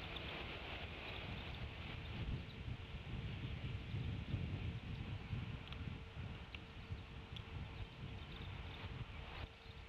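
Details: Outdoor wind noise buffeting the microphone with a low rumbling roar and a faint steady tone, and no animal call.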